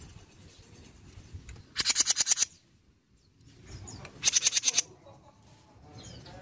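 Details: Jenggot bird, mini type, recorded in Indonesia as a lure to prompt other birds to sing. Two short bursts of sharp, high, rattling clicks, about seven pulses each, separated by a quiet pause with faint background hiss.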